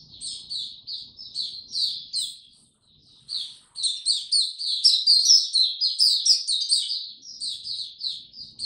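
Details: White-eye song in warm, very humid weather: chains of quick high chirps, a short pause near three seconds, then a louder, denser run of warbling notes.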